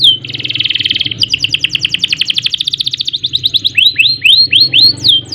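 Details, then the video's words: Canary in an energetic 'gacor' song with rolls and bursts: an opening buzzy rasping note, a long rapid rolling trill, then repeated upslurred-downslurred whistles at a slower pace. "Kenari Gacor Panjang Ngerek Ngerol Nembak Mantap Buat Masteran dan Pancingan | Bird Singing"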